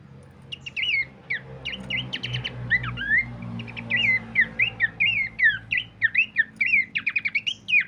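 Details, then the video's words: Lure and training master of Horsfield's Babbler: after a quiet start, a steady stream of short, bending whistles and twittering notes grows busier, ending in a quick run of sharp repeated chips, with faint low hum behind. "pancingan dan masteran terbaik mewah khas burung pelanduk semak"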